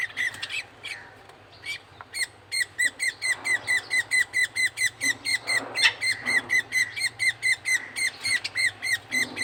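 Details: Rapid, rhythmic high squeaks from a budgerigar chick being fed by a male budgie, about two per second, insistent and steady, with faint room hiss behind.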